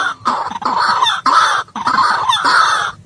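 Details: Harsh, croaking white-breasted waterhen calls played as a trapping lure, delivered in three or four loud rasping bursts with short breaks between them.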